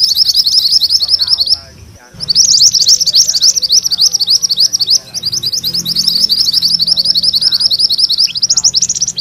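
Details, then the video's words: Mantenan kuning delivering long ngerol rolls: very fast, high, sizzling strings of notes, one brief break, then a sustained, unbroken chatter. "Suara MANTENAN KUNING ngerol"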